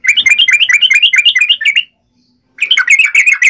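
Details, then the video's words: Energetic 'ngalas uplik ropel' fighting song of a yellow-vented bulbul, meant to make others respond: dense, rapid chattering of bright, jerky notes, broken by one short silence before resuming. "trucukan gacor TARUNG NGALAS UPLIK ROPEL"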